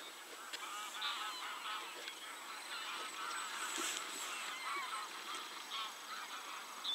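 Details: Geese in a flock give overlapping nasal honks, harmonic and slightly wavering. Many birds call at once in a near-continuous chorus, with louder individual honks standing out every second or so over a steady background hiss.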